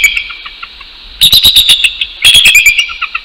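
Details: Territorial dawn duet of a male and female bald eagle at their Northeast Florida nest, 6:48 AM, 12 January 2019: after a quiet start, two quick bursts of sharp, high chittering notes follow one another.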